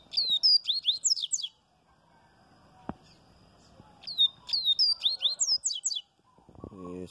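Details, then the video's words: Double-collared seedeater (coleiro baiano) singing in the viviti style: two bursts of rapid, bright, high whistled notes that sweep down and up, each about 1.5 seconds, separated by a pause, with a man's voice at the end. "Coleiro baiano VIVITI"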